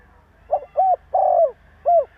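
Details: A spotted dove gives one complete provoking call: brief soft coo, arched hoot, drawn-out rolling note that slides down, then a separated final arched coo, clean and low pitched.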